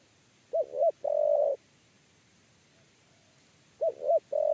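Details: Spotted dove (tekukur) giving a 'kuk 3' style coo during lure trapping: two quick rising hooted notes, then a long steady coo. The phrase is repeated after about three seconds against a quiet background.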